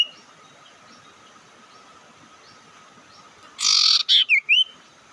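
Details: Near-silence for over three seconds, then a loud buzzy rasp followed by two or three rising whistled notes, a bird lure call aimed at provoking opponents.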